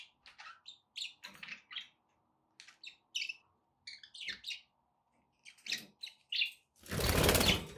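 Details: Pet budgies chirp in rapid short bright notes and warbled chatter, ending with a loud broad rustling noise.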